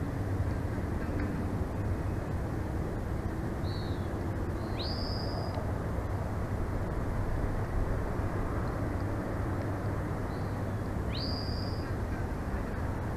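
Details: Bald eagles at their Big Bear Valley nest on 9 June 2024 around 2:40 pm, nest camera: two high, thin piping calls about six seconds apart, each led by a short softer note, under constant heavy wind roar.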